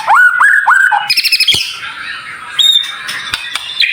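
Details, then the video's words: Tutor song of white-rumped shama with dense, high fills: a few looping whistles, then a fast buzzy rattle, followed by thin high notes over a hissing background. "Masteran Murai Batu cepat Buka Paruh | Suara Full Variasi Paling Dicari"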